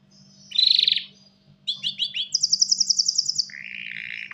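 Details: Canary cock courting a hen for mating: a dense high trill, a pause, then descending slurred chirps, a rapid rising run of piercing repeated notes, and a lower buzzy rolling phrase, with low background hum.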